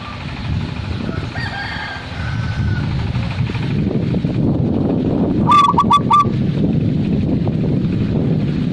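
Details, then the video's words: Zebra dove delivering one brief phrase of staccato ringing coos past the midpoint. Fainter higher bird notes come earlier, and low rumbling noise runs throughout. "ternyata suara seperti ini juga di sukai para kolektor kutut!!"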